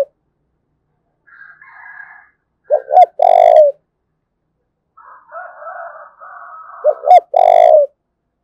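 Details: Two phrases from a spotted dove of Đồng Nai, Vietnam, in thúc bổi calling style, each two short notes leading into a long low coo, with a faint, higher drawn-out background call between them.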